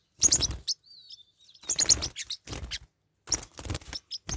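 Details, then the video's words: Pet parrotlets fighting: harsh, scratchy bursts of high chirps and squawks in three outbursts, with a faint thin whistle between them. "My birds are fighting"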